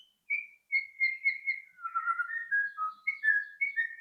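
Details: White-rumped shama song used as a lure to prompt other shamas to sing: a run of clear whistled notes, first level and steady, then slurred lower whistles and short rising phrases, with no other sounds.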